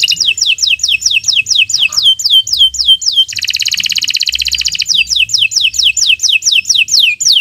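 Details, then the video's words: Long 'gacor' canary song: loud, clear downslurred whistles repeated evenly, broken by a dense buzzy trill for about a second and a half, then the whistled series resumes. "Kicau Burung Kenari 144 II LUAR BIASA GACOR PANJANG"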